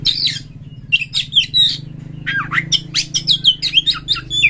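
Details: Oriental magpie-robin (kacer) singing energetically with rough, harsh song material, used as a lure to stimulate other birds to sing: varied rising and falling whistles mixed with scratchy, buzzy bursts over a steady low hum.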